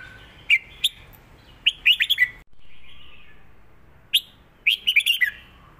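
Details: Caged red-whiskered bulbul singing a southern Thai song pattern, recorded for teaching other birds: a few short whistled, warbling phrases separated by pauses, with a brief low hum in the middle.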